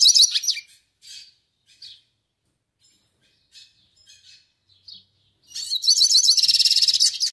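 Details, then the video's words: Yellow-faced siskin singing melodiously: a loud twittering phrase opens, then short high chirps come at irregular intervals before a sustained, rapid, buzzy trill of high notes lasting nearly two seconds closes the passage. "CANTO MELODIOSO PINTASSILGO DO NORDESTE!"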